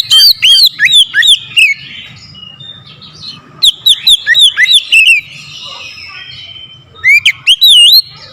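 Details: Aggressive oriental magpie-robin song provoked by a rival: three bursts of loud rapid whistles, wavy rising-falling notes repeated quickly, softer chattering between bursts.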